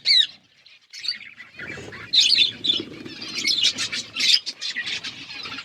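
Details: A flock of budgies chirps after a single opening call and a brief pause, building into dense overlapping chatter of sharp notes and scratchy warbles.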